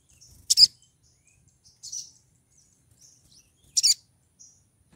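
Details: Pied triller female calling to lure a male while in breeding condition. Three short, piercing high chirps, about one and a half seconds apart, the first and last loudest, with quiet gaps between.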